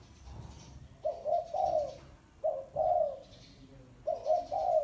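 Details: Spotted dove giving the cooing style called thổ sấm: three low, hoarse coo phrases, each a short note followed by one or two longer rolling notes, about a second and a half apart.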